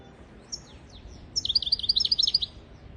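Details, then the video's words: European goldfinch singing, a recording meant to teach goldfinches and canaries their song: a few thin high slurred notes, then a dense run of quick, tinkling twittered notes lasting about a second. "تغريد طائر الحسون حفاضة لتعليم طيور الحسون والكناري بدون أخطاء"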